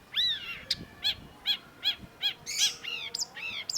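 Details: Long-tailed shrike (cendet) singing vigorously, played as a lure to prompt a silent cendet to sing: a steady run of high, arched, harmonic-rich notes about three per second, opening with a longer swooping phrase and ending in tighter chevron notes.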